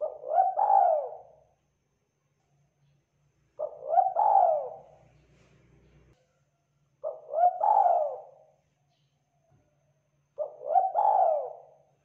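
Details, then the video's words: Spotted dove, a local Indonesian tekukur, repeating its low hoarse cooing phrase four times, each about a second and a half long and spaced roughly three to four seconds apart, with near silence between. "Suara Tekukur Lokal Gacor"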